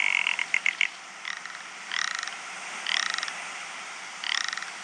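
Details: Rock ptarmigan courtship call: a quick string of dry ticks, then separate harsh, rattling croaks repeated about once a second, over a steady hiss.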